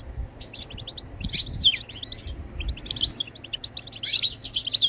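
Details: European goldfinch song: bursts of quick, jangling twitters and sharp high notes come in clusters separated by brief pauses, over low thumping background noise.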